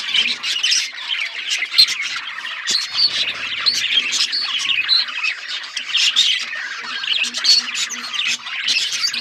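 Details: Budgie flock chirping: a steady mix of squeaky warbles and harsh squawks, with occasional sharp high whistles standing out, and a faint low buzzing in the middle.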